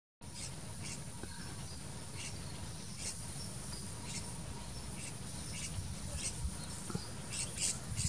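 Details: Juvenile and adult vernal hanging parrots on a banana flower give thin, high, sharp squeaky notes, repeated irregularly about once a second, over a steady low rumble of wind or distant traffic.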